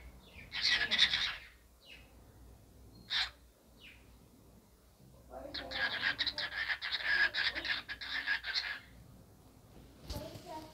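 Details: Pet cockatiel talking while dancing: bursts of chattering, speech-like mimicry and chirps with short pauses, loudest from about 5.5 to 9 seconds, with faint room noise.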